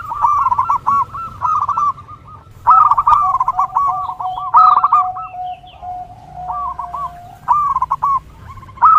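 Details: Zebra dove song, played to train and lure zebra doves; bursts of quick, repeated mid-pitched cooing notes broken by short pauses over a steady low hum and a sustained level tone.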